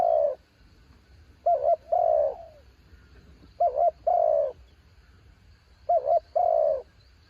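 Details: Mountain spotted dove decoy on a branch repeats its cooing phrase three times: a brief wobbling double note leading into a long, gently falling coo, evenly spaced over a low background rumble.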